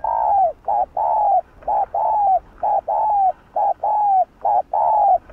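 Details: Spotted dove (cu đất) cooing in the 'hạp bổi' voice, a recording meant to rouse other doves. Rapid, insistent low coos alternate short and long, about ten notes in five seconds, each long note sliding slightly downward.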